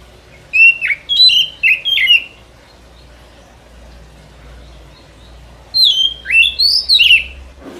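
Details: Lure song of a white-rumped shama for forest trapping: two bursts of rich, rapid whistled notes with swooping rises and falls, separated by about three seconds of quiet, a faint low hum beneath.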